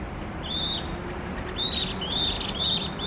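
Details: Chinese hwamei, recorded in Tokyo, giving short, clear, level whistled notes spaced about half a second to a second apart, with slight overtones above and steady background hiss.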